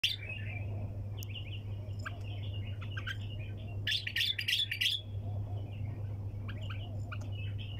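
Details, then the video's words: Bulbul singing nonstop in the style called tak janah, tor sayyad (wing-clap, hunter style): scratchy chirps and warbled notes, with sharp clicks and a loud burst of rapid chatter midway over a steady low hum. "طك جناح بلبل طور صياد بدون توقف"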